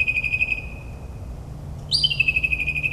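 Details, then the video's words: Northern mockingbird singing at midnight in suburban New Jersey, mimicking other birds: a long steady high whistle fades, then after a pause a rising note opens into a buzzy trilled whistle held to the end, low traffic hum beneath. "Moonlit Melodies - Mockingbird's Nocturnal Performance in NJ"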